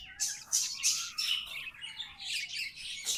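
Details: Tame budgerigars singing: quick chirps repeated about three times a second, sharp and scratchy, over a faint whistle that rises then falls, ending in a louder buzzy burst.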